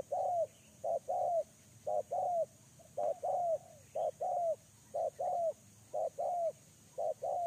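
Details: Spotted dove used as a lure bird, repeating a low coo phrase: a short note followed by a longer falling coo, about once a second, with faint chirps of other small birds behind.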